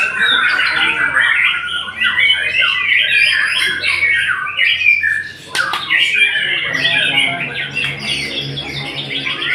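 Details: Continuous white-rumped shama song: rich warbling phrases of rapid whistled and chattering notes at mid-to-high pitch, briefly pausing near the middle, then resuming with louder, rising and falling flourishes.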